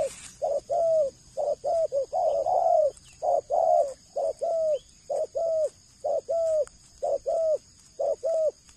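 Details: Captive breeding male dove kept as a stud bird, cooing in a steady run of short, mellow notes with a slight downward bend, grouped in pairs and triplets about once a second; a faint high electrical whine runs throughout.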